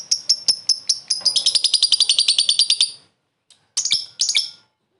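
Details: Lovebird calling a rival, short ngekek laughing call for luring: accelerating chatter of high dry clicks lasting three seconds, a silence, then two harsh squeaky bursts.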